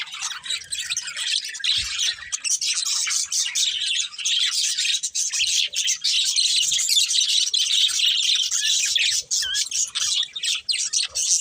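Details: Steady, dense twittering from budgerigars: rapid overlapping chirps, about four per second, forming an unbroken high chatter with a few brief breaks.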